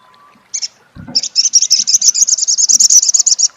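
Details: After a single sharp chip, an olive-backed sunbird pours out a dense, very fast chattering trill of high, buzzy notes lasting over two seconds in crecet style, known locally as sogok ontong.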